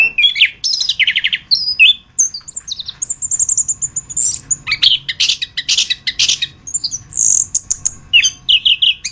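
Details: Anis kembang, the orange-headed thrush, in a masteran tutor recording: a lively jumble of high twittering phrases, thin drawn-out whistles and quick repeated chips, nearly continuous with short gaps.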